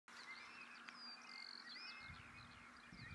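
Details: A party of very active Eurasian Stone-curlews calling and displaying to each other in early morning in East Anglia, digiscoped from a sandy public path: overlapping whistled, slurred rising and falling notes, several birds at once, over a low steady hum.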